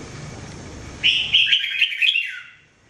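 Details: Jambul, or red-whiskered bulbul, in mebah training song: after a second of background hiss, a single bright, fast warbled phrase that falls away at the end into quiet.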